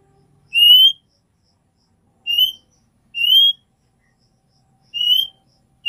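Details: Female oriental magpie-robin calling to the male to bring him into breeding condition; loud, clean, rising whistles at uneven intervals, two close together near the middle, over near silence.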